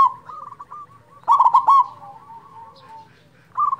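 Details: Local zebra dove used to prompt quiet doves to sing: one short burst of fast staccato coos, preceded and followed by fainter wavering tones, with a further coo starting at the end.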